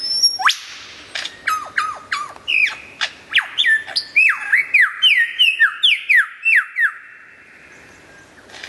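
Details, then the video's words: Lyrebird in loud, clear song: a fast series of bright whistled notes, each sweeping sharply downward, about three per second, shifting pitch partway through and ending in quiet. "suara burung lyrebird gacor buat masteran"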